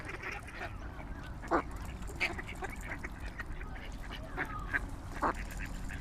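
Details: Swans in their natural habitat: a few short, nasal honking calls stand out at scattered moments over a steady low background rumble.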